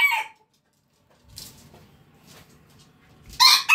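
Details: A rooster's loud, harsh crow in the morning, heard as the tail of one call and the start of another, with a quiet low rumble between.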